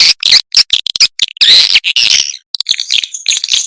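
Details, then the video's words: Swiftlet lure sound meant to call the birds in and keep them roosting. Dense, raspy high twitters come in bursts, with one longer buzzy trill in the middle, followed by scattered quick chirps. "SUARA WALET"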